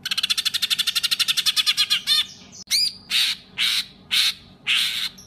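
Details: Songbird master in the 'tembakan kasar' style for competition birds: a rapid rattling trill, then slurred notes and five harsh, noisy bursts spaced about half a second apart.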